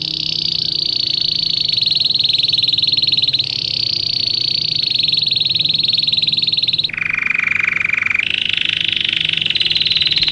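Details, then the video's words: Belgian canary song used to train canaries: long, continuous, very fast high trills that change pitch in steps, dropping to a lower rolling trill near the end before rising again. "Canto para ensinar canário belga,Canto treinar canário belga"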